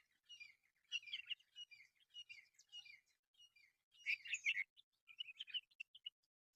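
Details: Lively myna chatter at a local reserve: rapid squeaky and harsh notes in runs, a loud scratchy burst midway, then clearer whistled phrases.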